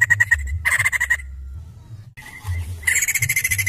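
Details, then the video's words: White-crested laughingthrush (poksay jambul) in lively song: rapid rattling bursts with a strong ringing tone, a pause, then more fast chattering rattles, low hum underneath. "Gacor nya Poksay Jambul Ini"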